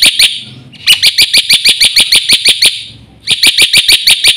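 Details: Black-winged myna in vigorous full fill-in song, used to tutor other mynas: rapid, evenly spaced ringing high chirps, about three per second, broken by two short pauses.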